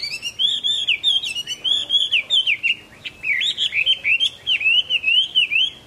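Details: Chinese hwamei singing happily in the late afternoon of 15 April 2024: a loud, continuous run of rich, varied, high, fluid whistles and slurred warbling phrases, with faint background room noise.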